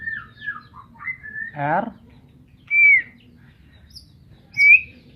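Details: White-rumped shama, Medan type, giving descending whistled notes, a harsh rasping burst, then two clear rising-falling whistles spaced apart, over a low hum.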